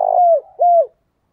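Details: Brief cooing from a decoy spotted dove of the thổ voice style, used to lure wild doves. The end of one rolling coo slides down. A second smooth arched coo follows, then silence.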